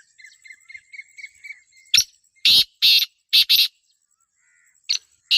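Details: Call of a female black francolin meant to attract a male: harsh, buzzy rasping notes in pairs and singles after a run of faint thin chirps from a small bird, with a steady high whine throughout.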